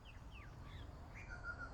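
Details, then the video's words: Black Butcherbird in gardens near Centenary Lakes, Cairns, northern Queensland, Australia, singing deep, soft, fluty slurred notes, a few rising and falling phrases, then a longer held tone, over a low steady rumble. "That bird singing those deep notes, is a Black Butcherbird."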